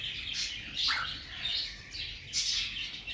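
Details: Upset female cockatiel mourning two dead young, uttering a series of shrill, rasping chirps, one dipping lower briefly, then a loud, sharp final squawk, against quiet background hum.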